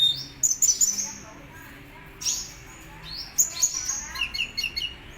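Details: Kolibri Ninja sunbird singing energetically: very high, thin chirps and sweeping upslurs in quick flurries, pausing briefly before bursting into another run of sharp twitters.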